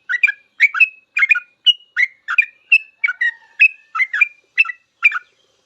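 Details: Sooty-headed bulbul in 'full ropel' song for training cage birds: quick chirpy phrases, each a burst of warbled notes with a clear whistled tail, repeated about twice a second without a break.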